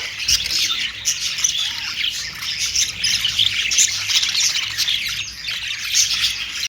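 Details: Australian parrots, or budgerigars, chattering nonstop as a group: overlapping shrill squawks and rapid warbled chirps that form a steady, busy wall of bird noise with no pauses.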